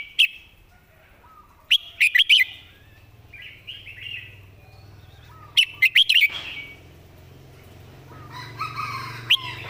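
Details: Tutor-bird Red-whiskered bulbul delivering well-phrased song: repeated bursts of three to four quick, bright notes every few seconds, with background chatter from other birds and a low hum.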